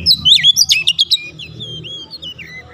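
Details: Oriental magpie-robin singing to prompt a quiet bird into song: a quick run of sharp chirps and twisting whistles, then a thinner trailing warble over low background rumble.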